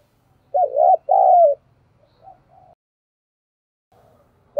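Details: Decoy spotted dove phrase: a rolling double coo and a long, slowly falling coo, then soft faint notes, silence and the start of the next coo.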